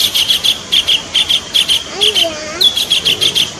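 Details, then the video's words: Kingfisher lure recording from Indonesia, where the bird is legally protected. Shrill, high chirps repeat rapidly in doubled bursts throughout. Faint, lower, sliding tones briefly join in midway. "Masteran gacor untuk pikat burung tengkek suara pancingan"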